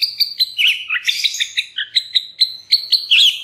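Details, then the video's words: Murai batu (white-rumped shama) lure song for stirring other shamas: rapid, evenly spaced high chirps and whistled notes, several per second, in a continuous lively stream. "murai batu MANA SAJA Bakalan ikutan RAME dan BUKA PARUH dengan pancingan ini"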